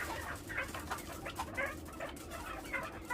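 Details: A farm-raised chukar partridge gives a run of husky, clucking chuck notes, about two a second, over a low background hum.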